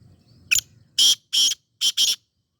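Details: Sindhi black francolin calling: one thin, short note, then four harsh, grating, buzzy bursts delivered quickly, the last two nearly joined, against quiet surroundings.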